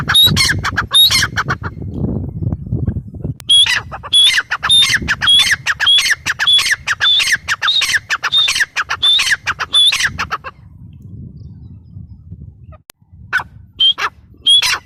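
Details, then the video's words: Grey francolin repeating a piercing, raspy call in a fast, insistent series, then falling quiet for a few seconds before two more harsh notes; low murmuring background noise throughout. "Teetar ki awaz | gray paryridge sound | francolin voice"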